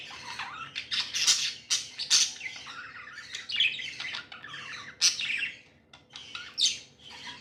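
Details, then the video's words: Happy pet budgerigars chirping indoors, a dense overlapping chatter of scratchy, warbling notes and sharp chirps from several birds, continuous over the whole stretch. "Happy budgies chirping sounds"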